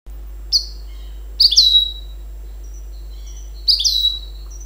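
Goldfinch and canary hybrid giving bright, high chirps and short falling twittered phrases in three spaced bursts, with a low steady hum underneath.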